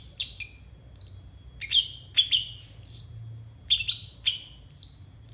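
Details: Konin singing for training young konin: repeated sharp descending whistles, each ending in a short tail, given at irregular intervals of about half a second to a second.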